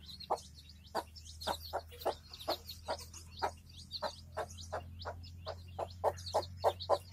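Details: Village hen with her chicks: a steady series of short, low clucks roughly every half second, with faint thin high peeps from the chicks in between and a low steady hum underneath.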